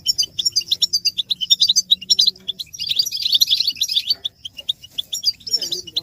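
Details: Chorus of European goldfinch twitters meant to rouse males out of silence, described as mating and readiness calls; dense rapid high chirping throughout, swelling into a thicker burst midway, with faint low tones underneath.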